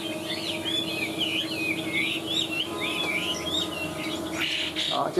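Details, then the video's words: Chinese hwamei, a large caged bird singing high: a fast run of looping whistled phrases for about four seconds, then a brief burst of broadband noise, over a steady low hum. "Họa mi bóng bộ to đẹp hót cao"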